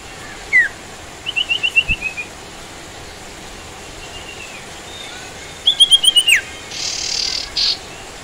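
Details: Sooty-headed bulbul, locally called sirtu, recorded outdoors with rain sounds: a single sharp chirp, then two quick runs of five or six clipped, slightly falling notes, with a soft slurred whistle between them and a brief hiss of noise near the end.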